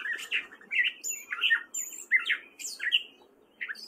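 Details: Male gray catbird in spring song at Fairfield, Iowa: rough, squeaky phrases tumbling one after another, mixing slurred whistles with harsh notes, then a short pause before a final note.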